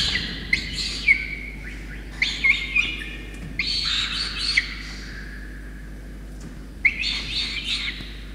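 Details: A peregrine falcon chick in Orange, New South Wales, Australia, begs on 5 November 2021 as its rain-soaked parents feed it a starling. Clipped, rasping squeals with sharp clicky onsets come in groups, separated by a quiet pause.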